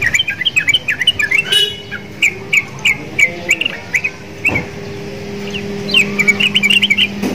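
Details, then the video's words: Caged sooty-headed bulbul singing energetically, said to sound like a Javan myna caged nearby. Rapid strings of bright chirps, a pause with a steady low hum, then another fast chirping run. "TRUCUKAN GACOR !!! MENTALNYA SEPERTI JALAK KEBO"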